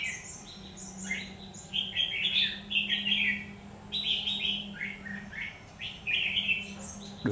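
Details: Red-whiskered bulbul in a combative, feather-flared fight song during trapping, recorded 17 October 2019: bright warbled phrases of short chirps repeated every second or so, with a steady low hum beneath and a sharp knock at the end.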